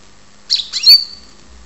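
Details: A caged European goldfinch, kept in Ptolemaida, Greece, gives a single short burst: buzzy chirps sliding into a bright, thin whistled note that fades out, in a quiet room.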